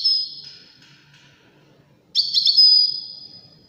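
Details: European goldfinch song played for teaching goldfinch chicks and hybrids: a brief high twittering phrase, a pause, then a longer tinkling burst of high notes fading into a sustained whistle.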